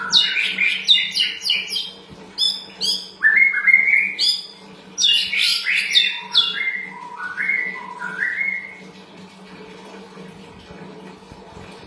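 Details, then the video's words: Sooty-headed bulbul song used as a lure to get birds answering: rapid bubbling phrases of bright, chirpy notes, some rising in short slurred runs, repeated many times a minute, fading toward the end over faint background hum. "Pastol pancingan efektif dan langsung nyaut ikut bunyi"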